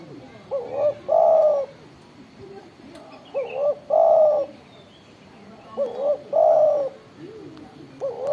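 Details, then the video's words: Spotted dove, vocal and loud-voiced, repeating a low hooting coo phrase three times at steady intervals of about two and a half seconds: a brief rising note, a longer wavering coo, then a short trailing note. "tekukur gacor suara besar"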